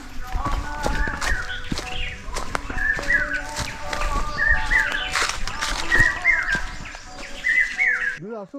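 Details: Indian scimitar babbler, heard but not seen, near Tikarpada Nature Camp in Satkosia by the Mahanadi River: short, liquid notes that bend upward, repeated about every one and a half seconds, over soft background music and faint chirping.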